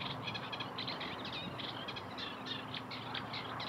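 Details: Eurasian tree sparrow chatter: rapid, busy bursts of short chirps, about four per second and irregularly spaced, forming a continuous twittering stream with a constant low hum beneath.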